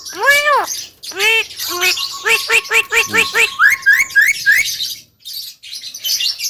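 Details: Javan myna in energetic song: two arched, nasal wails, then a rapid, rhythmic stutter of clipped notes over a steady tone, rising into squeaky upslurred chirps before fading to scratchy chatter.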